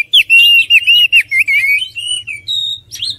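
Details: Oriental magpie-robin singing a run of loud, clear whistled notes that slur up and down, packed closely together for about three seconds, ending in a brief rising whistle.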